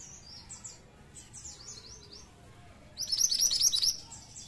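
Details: Lure song of a pied triller meant to draw flocks of the same bird: faint downslurred high whistles first, then a loud, quick series of bright piercing notes about a second and a half long.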